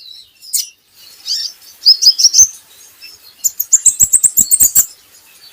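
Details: Brown-throated sunbird, training material: soft high notes build into a short chirpy phrase, followed by a quick series of about twelve bright, evenly spaced chips.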